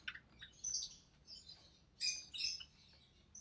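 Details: Caged recessive pied budgerigar chick born in June 2020, being fed by its mother; high, thin squeaky chirps in two bursts with short pauses between.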